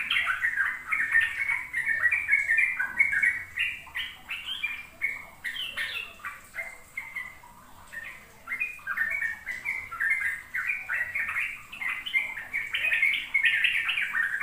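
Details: Sooty-headed bulbul singing extended ropel song as a learning lure for young birds: fourteen seconds of rapid, jumbled warbling phrases, some harsher and squawky, running almost without a break.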